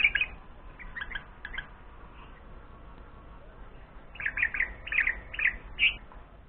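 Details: Bulbul nestlings, 4 days after hatching, beg hungrily during the family's morning routine. They give short, harsh, high chirps in quick clusters: a few bursts early, then a rapid scratchy run of about a dozen near the end.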